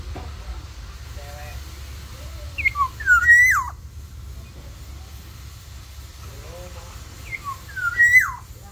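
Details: A Black-naped oriole in a mini aviary, singing actively, gives two rich, fluty whistled phrases about four seconds apart, each swooping up and down, over a low steady hum.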